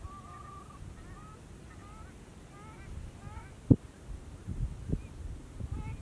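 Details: Distant Whooper swans in Bojaq National Park, where Mute swans are also present, give short, nasal, trumpeting honks, several overlapping in a loose chorus, over low rumbling background noise with a few dull knocks.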